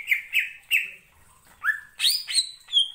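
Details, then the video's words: Greater green leafbird (cucak ijo) singing lively song played to provoke other birds into singing: slurred whistled notes sliding downward, repeated three times, a pause, then a rising whistle and bright, higher ringing phrases ending on a sustained high note. "pancingan cucak ijo gacor ngentrok‼️ampuh bangkitkan emosi"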